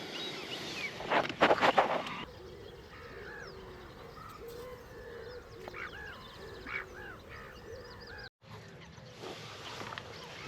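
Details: Swans on Lough Neagh shore, early misty morning from a floating hide, give a burst of loud, nasal honks in the first two seconds; softer, arching mewing calls of gulls flying overhead follow over a steady background hush.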